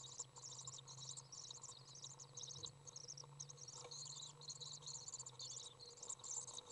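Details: Young Common Swift in a nest box as a parent arrives to feed it, June 18th 2011; shrill, buzzy high-pitched twittering in quick overlapping bursts, with a steady low hum underneath.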